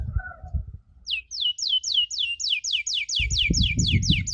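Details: Canary chirps from a tutor recording for young canaries learning the 'cuit cuit' sound: a short soft note, a pause, then a quick, even series of sharp high down-slurred chirps, about four a second, over a low rumbling background.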